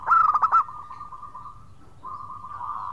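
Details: Local zebra dove voicing its 'khong' song to call companions: a short, loud cluster of quick pulsed coos, followed by a long, soft, level purring trill.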